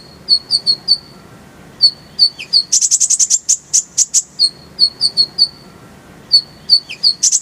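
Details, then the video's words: Purple-throated sunbird masteran song with full fill and rolling bursts: quick clusters of high thin chirps alternate with a dense rapid-fire volley of piercing, very high trilled notes, then the chirps return. "Masteran Kolibri ninja full isian, Roll tembakan Suara jernih"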